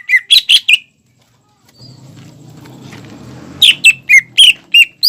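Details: Greater green leafbird in energetic song, used to stir juvenile birds into singing: four fast whistled notes, a stretch of low rumbling noise, then six sharp, sliding whistles in rapid order.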